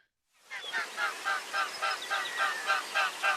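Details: Mute swan (Cygnus olor) in flight: wing noise, loud throbbing wingbeats, a rhythmic humming whoosh pulsing about three to four times a second, steady and even throughout.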